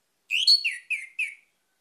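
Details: Orange-headed thrush song used to lure other birds into singing: a short burst of rich, slurred whistled notes around the upper-middle range, four quick phrases in just over a second, then silence.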